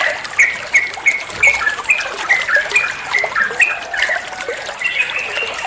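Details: Ropel-style song of the sooty-headed bulbul, known locally as trucukan, used as masteran for teaching other songbirds: clear short notes repeated about three times a second in an even series, then looser chattering.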